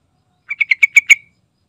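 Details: Sooty-headed bulbul singing energetically in 'gacor' style: a single burst of six rapid, bright, slightly buzzy notes, each a little stronger than the last, with nothing else audible.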